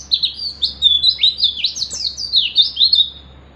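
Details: Wild oriental white-eye singing while seeking a rival: a continuous fast stream of high, sweet, sliding twitters rising and falling, lively and unbroken for over three seconds, with a low constant hum beneath.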